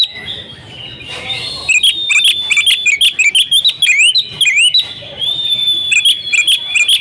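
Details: Female Oriental magpie-robin (kacer betina) used as a lure to draw silent males into singing: a busy run of sharp, high whistled notes and quick rising and falling slurs, with a brief steady whistle midway, then more rapid chirps.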